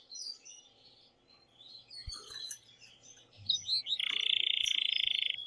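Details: Male canary in excited song meant to stimulate the female to mate and be heard by chicks: soft scattered chirps and short notes over low background noise, building into a loud, buzzy, rapid trill.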